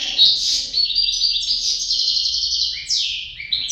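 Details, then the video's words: European goldfinch pair sings a steady stream of shrill, chattering trills and tinkling notes with several falling slurs. "couple chardonneret"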